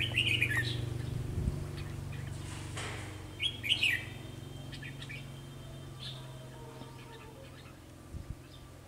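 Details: Red-whiskered bulbul used as a trapping decoy (Kim Bôi bird), calling in wild birds on a sunny, windy day in October 2020: two short, quick warbling bursts about three seconds apart, with a steady low hum and wind behind.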